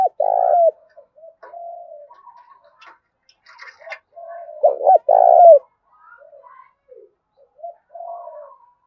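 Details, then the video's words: Wild-caught spotted dove giving intense contest coos in the thổ pha đồng style: a loud low coo, a stretch of soft coos and faint clicks, then a strong two-note coo around five seconds, followed by quieter murmurs. "Tiếng chim cu gáy thúc Đấu cực gắt giọng thổ pha đồng bổi"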